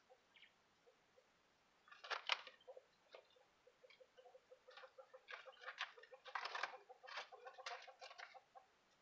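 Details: Quail in an aviary give soft, scratchy clucks and chirps in uneven bursts, some short and some briefly run together.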